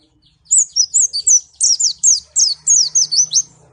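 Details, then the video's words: Pleci (white-eye) from Malang, singing a fast run of high, sharp, twisting chirps, about a dozen notes packed into three seconds, rising and falling steeply, with faint low hum underneath. "pleci Malang suara mantap"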